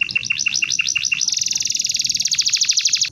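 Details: Canary song meant for tutoring other birds: rapid repeated chirped notes, then a long, very fast high rattling trill lasting about two seconds, clear and loud over low background hum.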